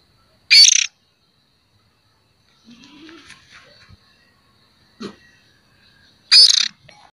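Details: Juvenile oriental magpie-robin used to lure others, giving two loud, grating, hissing rasps almost six seconds apart in a quiet setting, with faint scattered knocks and rustles between.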